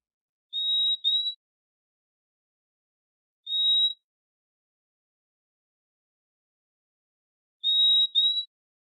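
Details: Purple-throated Euphonia (Euphonia chlorotica) giving its whistled contact song: clear, high, pure whistles, mostly doubled 'fee-fee' notes, repeated every three to four seconds against a quiet background.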